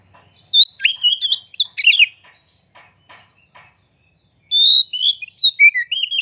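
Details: White-rumped shama song meant to make other birds sing: a fast tumbling phrase of looping whistles and harsh notes, a quiet gap with faint ticks, then a long pure whistle starting a new phrase.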